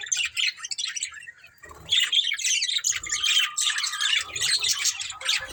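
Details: A budgerigar breeding pair chirps in fast scratchy warbles that grow denser after the first two seconds, with a thin sustained whistle weaving through the chatter.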